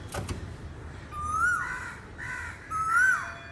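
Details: Asian koel calling: two loud whistled notes that rise and swoop upward then drop away, about a second and a half apart, after a short click at the start.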